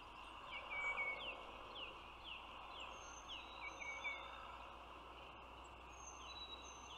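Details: Eagle at its nest, the male arriving with food for his mate and their eaglet, recorded by a nest camera; a series of thin, down-slurred whistled notes roughly every half second over a steady hum.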